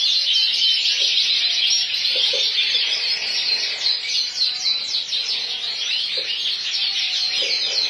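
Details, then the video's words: Full frill canary singing: a dense, continuous high warble of rapid rolling trills and chattering notes without pause, with faint soft knocks in the background. "fuLL FriLL canaRy"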